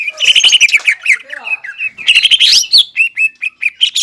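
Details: Greater green leafbird, a singing bird kept to rouse stressed leafbirds that have stopped singing; a rich, varied stream of bright whistled and chattering notes with rapid slurs and trills, some fast repeated phrases, and short pauses between bursts.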